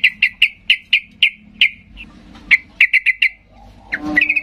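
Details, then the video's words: Sooty-headed bulbul in provoking, agitated song aimed at getting silent birds to answer; evenly spaced clear whistled notes repeated about every quarter second, then a quick cluster of notes and a brief trill. "Macam macam Trucukan gacor ngamuk memancing trucuk diam Bisa bisa Nyaut Emosi tinggi"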